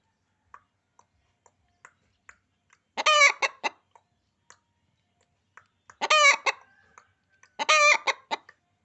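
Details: A hen gives three loud, harsh cackling bursts, each a tight cluster of squawky notes, with faint soft ticks between them.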